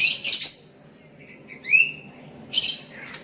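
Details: Sooty-headed bulbuls, one calling to a rival and others answering, give bright chirps, then a clear rising whistled note, then further sharp chirps across about three seconds in a quiet setting.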